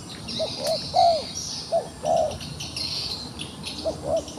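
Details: Wild pigeon caught in a trap and still fighting, uttering a series of low, rounded coos, some doubled, bunched in the first two and a half seconds and again near the end, over a constant high insect buzz.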